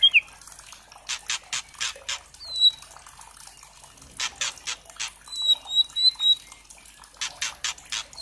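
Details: Young white-rumped shama, speckled juvenile, call used as a lure to provoke singing in other shamas: bursts of rapid harsh rattling notes alternating with thin high whistles.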